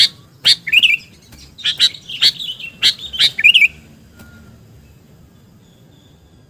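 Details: Sooty-headed bulbul calls for luring birds: a quick run of sharp chirps with twisting warbled notes over about three seconds, then silence with a faint low hum.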